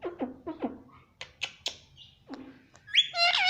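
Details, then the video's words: Pet Indian ringneck parakeet chattering in short, falling chirps delivered in a stuttering sequence, with several snappy clicks between, then a loud, piercing drawn-out screech at the close. "parrot chirping Sound _ Cute Indian Ringneck Parrot Mitthu voice"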